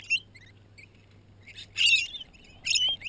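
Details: Wild lorikeets feeding at a lakeside campsite on Lake Maroon at 7 am, taking melted marshmallow on bread from people's hands; thin chirps at first, then two loud harsh screeching bursts late on, with a faint low hum beneath.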